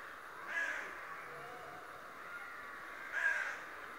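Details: A talking raven said to spy every day gives two harsh, croaking caws, nearly three seconds apart, over faint constant background noise.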